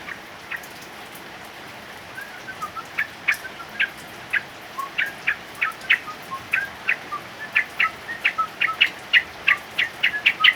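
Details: Male yellow-vented bulbul singing during heavy rain: a long series of short, sharp notes that grows quicker and louder toward the end, set over a steady hiss of falling rain.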